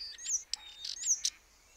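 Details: Brief burst from a common starling mixing a thin sliding whistle with a few sharp clicks and squeaks.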